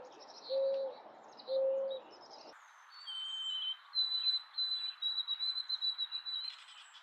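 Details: Birds singing for relaxation: two soft low whistled notes, then after a cut a thin, high, sustained whistle followed by a run of quick, high chirps.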